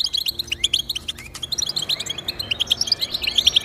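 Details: European goldfinch song for prompting pet goldfinches: rapid chattering twitter giving way to clearer, ringing chirps repeated in a quick run toward the end.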